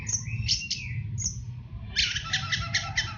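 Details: Master song of an orange-headed thrush, fast 'teler' style, for training caged birds. Sharp high whistled notes open, then after a pause a rapid rattling run of bright repeated notes, over a low background hum.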